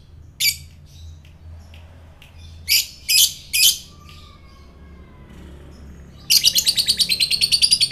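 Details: Lovebird used as a provoking sound for fighter lovebirds, giving a few sharp scattered chirps then a fast, rapidly repeated high chattering run near the end.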